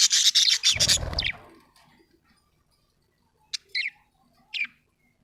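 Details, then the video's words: Happy budgie with a loud, fast burst of scratchy chattering chirps, accompanied by a low rumble, then quiet, with three short, separate chirps spaced apart. "happy budgie chirping sound"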